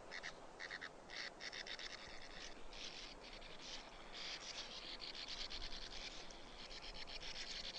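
Sand martins give dry, raspy, buzzing chatter in quick bursts, with several birds overlapping, over a low rumble of wind.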